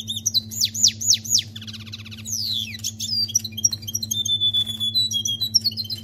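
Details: Canary delivering goldfinch-like song: repeated swooping V-shaped whistles, then a buzzy lower rattle, a descending slur and scattered bright chips and tinkling notes, with a constant low hum behind.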